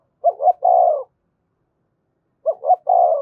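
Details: Spotted dove 'thúc gù' cooing meant to stimulate birds to call: two identical phrases about two seconds apart, each a pair of quick low hoots and a sustained, rolling deeper coo.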